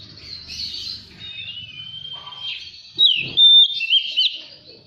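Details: Magpie-robin singing on a lure recording for prompting captive birds: a long thin whistle gliding upward, then loud, sudden whistled flourishes with sharp twists and a level note, over a soft low hum.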